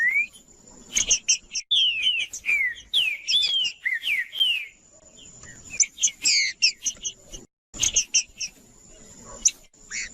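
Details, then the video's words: Green-winged saltator (trinca-ferro) song used to warm up a quiet caged bird: a quick run of looping whistled slurs, then bursts of sharp, buzzy chirps and a final rising whistle. "DESTRAVA TRINCA FERRO FRIO COM TRINCA FERRO CANTANDO PARA ESQUENTAR TRINCA FERRO CANTANDO"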